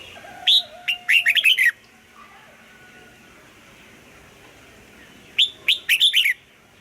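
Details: Red-whiskered bulbul singing in the morning, pushed toward the 'âm kép già rừng' double-note style; two phrases about five seconds apart, each a high opening note followed by a fast run of bubbly chirps, with faint thin whistles behind.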